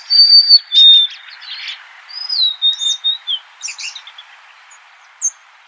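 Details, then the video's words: Golden-crowned sparrow singing: two clear, pure whistled notes, the second pitched lower, followed by a softer gliding whistle and scattered faint chirps and buzzy notes over a light background hiss. "Natural Birds Voice, Bird Natural Sound.Golden crowned Sparrow."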